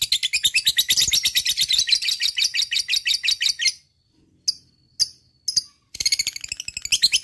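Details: Lovebird delivering a long ngekek, the chattering song used to get other lovebirds singing: a sustained rapid rattle of shrill notes, about three per second, then silence, scattered sharp chirps and a renewed rattling trill.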